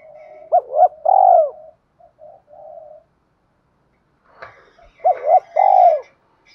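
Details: Spotted dove coos used to excite wild doves and train decoys; two partial phrases of short rising notes and a long purring coo, separated by quiet soft cooing and a brief clatter.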